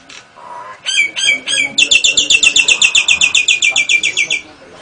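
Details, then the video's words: Nias hill myna giving a lovebird and canary variation: three separate looping calls open, then a rapid, regular string of shrill high notes continues for over two seconds before fading out. "Kicau Jalak Nias Gacor Istimewa Variasi lovebird & Kenari AF NGEKEK"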